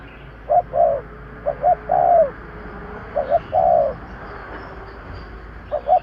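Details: Spotted dove lure call against a steady noisy background: paired short coos followed by longer drawn-out falling coos, repeated several times.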